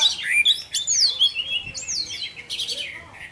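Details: Orange-headed thrush, its 'teler' (tarantula) song used as a lure to provoke other thrushes into singing: rapid, varied clear whistles and slurred rising and falling phrases, dense and continuous, with faint room noise.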